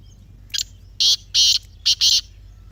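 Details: Grey francolin call, played to prompt silent captive francolins to call: loud, harsh, rasping notes, a short first note, then two longer bursts, then a quick pair of two more, over a quiet background.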